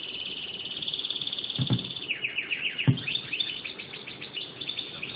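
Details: Hand-fed European goldfinch giving fast, thin, high chirps, about two per second at first, then a quicker jumble of descending twittering notes, with two dull thumps from handling.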